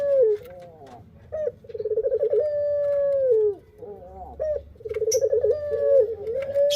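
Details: Pelung song of a male Barbary dove. A drawn-out coo slides downward, then rapid stuttered pulses swell into a long steady note that falls away. The pattern repeats twice.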